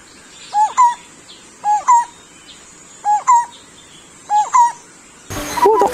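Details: Captive male Lineated Barbet (Psilopogon lineatus) calling to attract a mate; the call is likened to a zebra dove's. It gives mellow, hollow double hoots, four paired notes about a second apart, steady and low-pitched, ending in handling noise.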